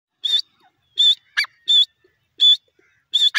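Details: Grey francolin, known locally as desi teetar, calling: loud, high, bright whistled notes with a slightly wavering tone, given in short bursts about every three-quarters of a second, some followed by a lower rasping note, against a quiet background.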